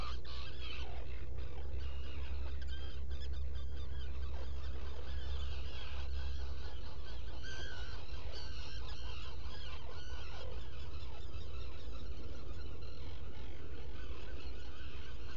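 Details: Black guillemots at a shallow nest burrow on Seal Island NWR, Maine, recorded by a burrow cam in the early hours of 20 June 2018. Chattering, rapid squeaky notes come in clustered bursts, fading toward the end, under a heavy low rumble.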